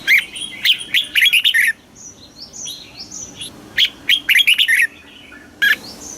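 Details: Southern master-style song of a caged red-whiskered bulbul, played to excite caged birds and train chicks. Two lively bursts of rapid, sharp whistled notes are separated by a pause with faint high chirping, and a short final note comes near the end.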